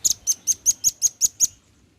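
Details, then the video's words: Male velvet-fronted nuthatch calling to its companions: eight bright, very high chipping notes in an even, rapid series lasting about one and a half seconds, then quiet. "Suara pancingan Rambatan paruh merah gacor memanggil temannya."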